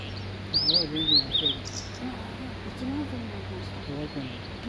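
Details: Male Blue-and-white Flycatcher on Migitagatake giving a short phrase of high, looping whistled notes, followed by people talking quietly nearby and a steady low hum.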